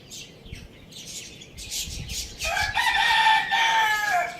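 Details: Pet rooster, kept with hens, chicks and budgies, crows loudly: a sustained, harmonic cock-a-doodle-doo lasting about two seconds and ending in a falling note, after soft clucks and high chirping from other birds.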